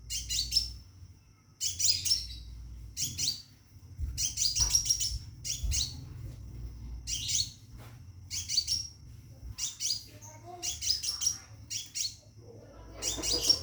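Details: Caged scarlet minivet calling to attract a female for mating: bursts of high, sharp chirps and thin whistled notes repeated roughly every second, with a low background hum throughout.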